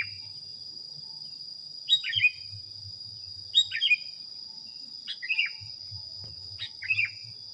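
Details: Sooty-headed bulbul heard in a recording meant for training other birds, with four short bubbling whistled phrases spaced about one and a half seconds apart, accompanied by a continuous shrill whine and low murmur.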